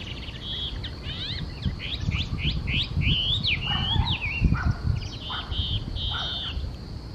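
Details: Chinese hwamei song recorded in Okurayama Park, a rich stream of rapid whistled notes and slurred upward sweeps, mixed with some lower, fuller phrases midway, all over a constant high-pitched hiss and low background rumble.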